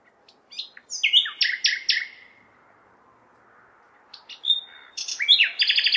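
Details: Nightingale in full night song in May within a large city, soft urban noise behind: a burst of rich whistles and rapid repeated notes, a two-second gap, then a rising sequence of loud trills.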